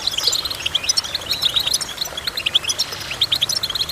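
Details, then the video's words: Goldfinch singing: rapid, bright twittering of short high chirps and trills, densely packed and bursting every fraction of a second, with faint low tones underneath. "Goldfinch Chirping"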